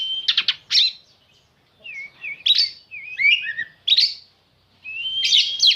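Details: Black-and-white oriental magpie-robin singing: loud varied phrases of sharp whistles, slurred rising and falling notes and short buzzy bursts, separated by brief pauses; no other sounds.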